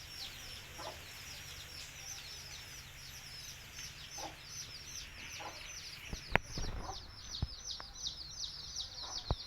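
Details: Baby country chickens peep steadily in high, sliding notes as a hen calls them to eat with sparse low clucks; sharp knocks and handling noises break in during the second half.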